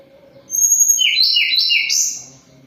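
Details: Moulting Sunda robin still in full voice, delivering a warbled phrase of quick alternating high and low whistled notes ending in a sharp upward flourish.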